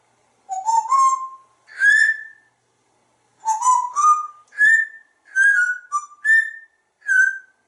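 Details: A talkative pet African grey parrot kept in a home in Texas gives clear whistled phrases, a rising two-note whistle repeated, then a run of short falling and level whistles spaced about half a second apart in a quiet room.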